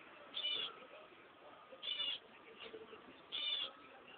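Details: Indoor recording of newly hatched cream-coloured Java sparrow chicks from a home brood of eight, born 20 March: three loud, high, rasping bursts about 1.5 seconds apart, with low room hum between them.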